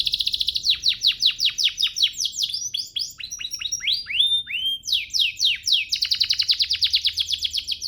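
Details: Canary master song for training canaries to sing: a long varied run of rapid repeated downslurred notes and trills, including buzzy phrases and pure whistled notes, with no other sounds.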